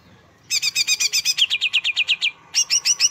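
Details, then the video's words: Greater green leafbird song, presented as relaxing, emotion-rousing material for other songbirds: rapid repeated sharp chirped notes in three quick series, about four per second, with a short pause before the last series. "Relaksasi pembangkit emosi cucak hijau"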